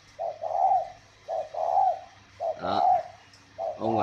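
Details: Spotted dove held at a bird-breeding garden near Ba Vì, Hanoi, Vietnam, cooing: short clipped note then a long mellow coo, repeated about every second, one phrase overlapped by a brief rough burst.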